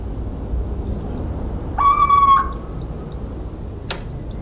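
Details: Little owl recorded in the countryside of central France on 17 March 2019: a single drawn-out, slightly nasal whistled hoot, level then falling a little at the end, over steady low background rumble, with a sharp click afterwards.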